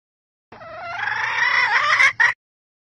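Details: Calling red junglefowl hen, used to stimulate males, producing a sustained, slightly wavering nasal cry that climbs gradually and ends with two quick sharp notes before stopping abruptly.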